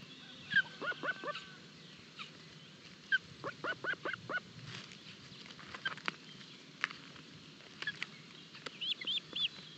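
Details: Osprey chicks at their nest in Barlinek forest during an early breakfast feeding, 25 June 2022, on a live nest camera: short sharp chirps in scattered groups of two to four, with faint background birdsong.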